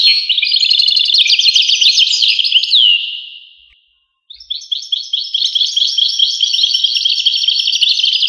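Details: A European goldfinch sings a dense tinkling warble that trails off into a falling slur, pauses briefly, then resumes with fast, repeated high chirping twitters.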